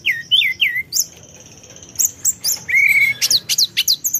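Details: Mountain forktail (tledekan gunung) calling to provoke a rival's temper: varied sharp whistled notes, downslurred chirps around the start, a long thin high whistle, then rapid rising and falling squeaky notes.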